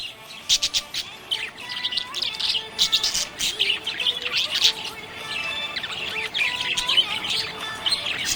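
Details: Happy budgerigars chirping, busy overlapping twitters, squeaks and short buzzy notes in loud bursts, a dense flock-like chatter.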